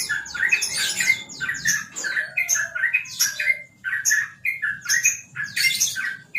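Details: Sooty-headed bulbul known as a champion trucukan delivers easy-paced ropel song: rich, chattering phrases of sliding whistles and sharp chirps, broken by brief pauses.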